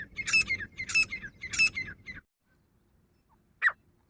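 Female grey francolin giving three harsh, scratchy notes about half a second apart, then a pause and one sharp, high squeak.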